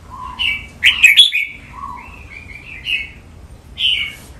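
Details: Red-whiskered bulbul in a cage, Thai training song of 'mae bot' pattern: low mellow whistles alternate with bright slurred phrases, a loud scratchy flourish near the start, then spaced clear notes ending in a high warble.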